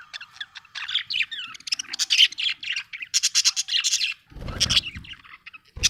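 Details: Happy budgie giving a continuous high, scratchy warble of rapid chirps and squeaks, barely pausing, with a brief low rustle near the end.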